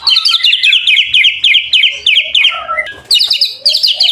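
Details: White-rumped shama singing to encourage other shamas to sing: quick rhythmic bursts of high repeated notes, with a few lower whistled slurs in between, loud and unbroken.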